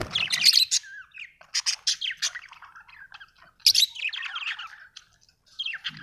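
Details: Budgerigar chirping: bursts of harsh, buzzy chatter and squawks high in pitch, broken by short pauses and a faint low whistle near the start.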